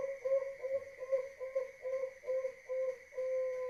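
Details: Deep-voiced zebra dove of the Bangkok competition line, from Wajo Sengkang, South Sulawesi. Fairly soft, low, rhythmic coos are repeated about twice a second, ending in a longer held note. A constant electrical hum runs underneath.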